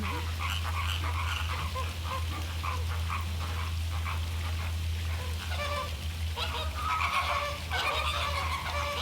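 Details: A flock of Caribbean American flamingos (Phoenicopterus ruber) during a courtship mating dance gives a steady chorus of nasal, goose-like honks and grunts, many birds calling at once over a constant low hum.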